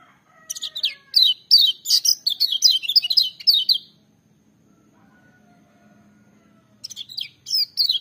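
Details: Loud, ringing song of a lemon-bellied white-eye. A three-second run of fast, high, twittering notes, each sliding down in pitch, then a quiet pause and a shorter burst near the end.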